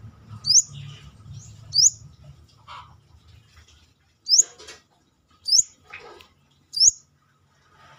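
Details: Brown-throated sunbird outside its cage giving five short, high, upward-sweeping whistled notes at uneven intervals, mixed with soft rustling and brief flutter-like sounds between calls.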